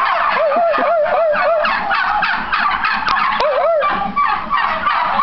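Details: Turkeys responding to people with rapid gobbles: a short series of quick, wavy, bubbling notes, then a pause and another warbled gobble, over a steady backdrop of many birds gobbling at once.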